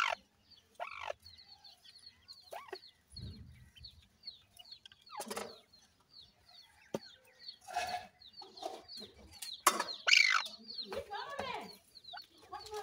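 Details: Young partridges at feeding time among reared chicks: a steady chorus of high, short, falling peeps from many birds, broken by sharp clicks, rustling of feed and occasional low clucking notes.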